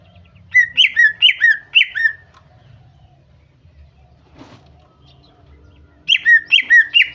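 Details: A female greater green leafbird calls to coax a male into song; a run of four rapid whistled notes, each swooping downward, then a pause with a faint click, then another run of four.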